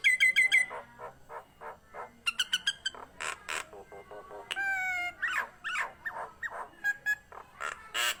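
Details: Nias hill myna in full, lively song: a quick series of ringing whistled notes, then loud broad squawks, clear harmonic whistles and choppy rhythmic calls repeated several times a second.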